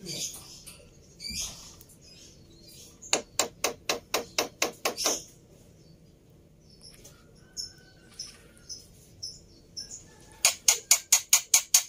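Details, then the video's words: Black-winged myna fighter bird in an overexcited state, kept for tutoring other mynas. Scattered scratchy chips give way to two rapid series of sharp, clicking, harsh notes, each run repeated several times a second. "Burung Jalak Putih fighter Emosi Nya kelewatan || Cocok Untuk Masteran Jalak Bisu"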